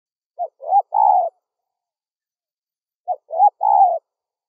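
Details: Spotted dove call played to lure wild doves: two phrases about 2.7 seconds apart, each a short clipped note, a rising note, then a long, steady, throaty coo. No other sounds.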